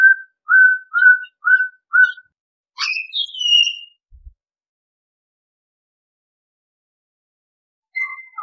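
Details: Pied Butcherbird song opening with five evenly spaced, identical whistled notes, then a richer falling flourish of fluty notes, followed by a long silence and a brief whistle at the end.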